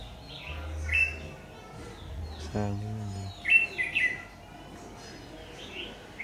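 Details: Red-whiskered bulbul ('má lỡ' type) during trapping with a decoy, 22 August 2019: short chirpy warbled phrases at the start and a louder cluster of bright notes after three seconds, with a brief human voice in between.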